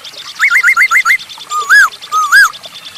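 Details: Masked laughingthrush singing energetically as a lure for other birds: a fast run of six short upswept whistles, then two longer, louder rising-falling whistled slurs, with steady high-pitched chatter from other birds behind.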